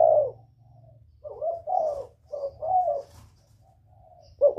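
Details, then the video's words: A spotted dove in the whistle-voiced northern style, calling to provoke wild doves, gives a short coo, then a phrase of several mellow, slightly arched coos, with a low rumbling hum and faint quiet notes in the gaps. "Tiếng chim cu gáy miền bắc kích bổi mới nhất, cu gáy giọng còi, Terkukur"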